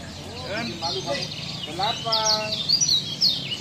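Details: Lombok kecial tutor song: fast high twitters alongside lower rising notes and a short run of steady tones, with background hum.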